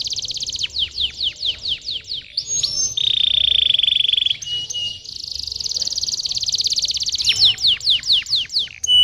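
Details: Canary song used as a lure to prompt young, reluctant canaries to sing: fast series of steep descending whistled sweeps, then a long rapid buzzy trill, more sweeps and a sustained rolling trill, ending in repeated downward notes.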